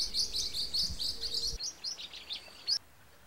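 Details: Blue-winged parrotlet chirps: quick bursts of high, scratchy tweets at first, then a few separate sharp calls trailing off into quiet.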